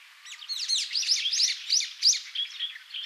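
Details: Wild Brown-eared Bulbul of the Taiwan subspecies on Yonaguni Island, Japan: a busy run of high, sharp chirps and short rising squeaky notes, about three a second, overlapping in a lively chatter.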